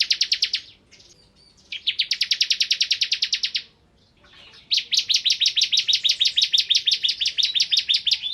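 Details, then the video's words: Vigorous 'ngebren' singing by a bar-winged prinia: short and long bursts of rapid, piercing buzzy notes, the last run continuing steadily for over three seconds at a fast, even pace. "Suara Burung Ciblek Kristal Gacor"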